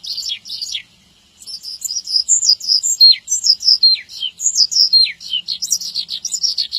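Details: A Javan bush lark sings vigorously as tutor material for other birds; after a short opening phrase and a brief pause, rapid high chirps and falling slurs run on without a break.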